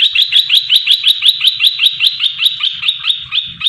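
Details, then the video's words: Captive olive-winged bulbul, a red-eyed variety caught from the wild three months earlier, delivering a loud, sharp lure song to make other bulbuls answer. An even, rapid series of ringing chirps, roughly five per second, throughout. "Merbah belukar gacor"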